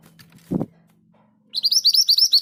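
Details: Scarlet minivet (sepah hutan) giving its rolling 'ngerol' song: after a thud over a low hum, a fast series of about eight ringing upswept whistles, evenly paced and high.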